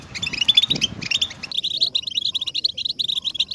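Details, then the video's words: European goldfinch stimulation song, a motivational recording meant to make goldfinches sing nonstop: dense, rapid twittering and tinkling notes, briefly mixed with a lower rustle before settling into steady, bright chattering phrases. "Best beautiful stimulation off européen goldfinch"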